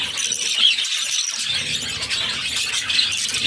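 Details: A mother budgie feeds her six chicks while they beg with constant shrill, rasping squeals. Brief brighter squeaks stand out near the start and end, and a faint low rumble enters partway through.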